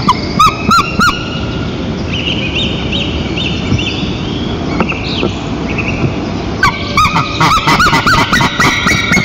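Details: White-tailed eagle pair at their nest in Nizhnyaya Kama National Park, 22 April 2023, calling loudly during a nest changeover: bursts of high, yelping notes in quick series at the start and again near the end, over steady wind-like noise with faint other birds.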